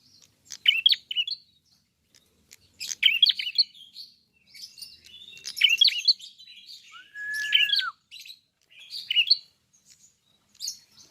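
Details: Klawu, a red-headed prinia, in full song: repeated bursts of sharp high chirps and trills every second or two, with one smooth drawn-out whistle partway through.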